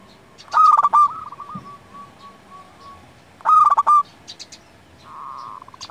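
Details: Zebra dove, local type, singing as a lure and master voice for other doves: a rolling coo phrase trailing into a long run of soft repeated coos, then a second loud phrase and a steadier hum-like coo.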